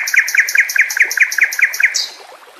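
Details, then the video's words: White-rumped shama, locally murai batu, in a song-training recording with natural water sounds: a fast series of about nine identical sharp, chirping notes, evenly spaced, ending in one higher slurred whistle and fading. "Masteran murai batu TERAMPUH yang di pakai semua burung juara"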